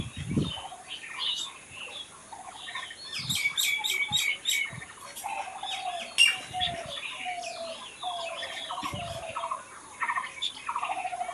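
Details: Unprocessed sounds of birds singing in nature. Overlapping high twittering and short rapid trills from several birds, a string of lower whistled notes, and occasional soft thumps.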